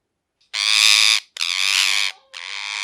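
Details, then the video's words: Parrot screaming in three long, harsh, noisy bursts, each held for well over half a second with brief gaps between, loud and grating throughout. "Parrot Chirping Sounds | Natural Parrot Sounds | Parrot Calling Sounds"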